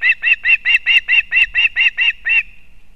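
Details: Osprey (Pandion haliaetus) at a nest in an old bent pine in Kurzeme, Latvia, 31 August 2024, as the mother brings fish for a chick: a fast run of about ten sharp, high whistled chirps, roughly four a second, over faint low rumble.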